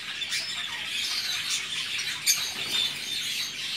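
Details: Rosy-faced lovebirds newly arrived at home chatter in a steady stream of shrill, high, scratchy chirps and squeaks, with one sharp louder click partway through.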